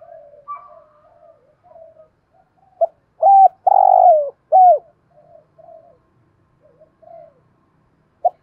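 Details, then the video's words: Decoy spotted dove with a thổ-style voice calling wild doves: soft low murmurs around a single loud cooing phrase of clipped note, rich drawn-out coo and sharp last coo, then a brief note at the end. "Chim Cu Mồi gáy gọi những con cu bổi ở nhà và ngoài rùng lẹ gáy"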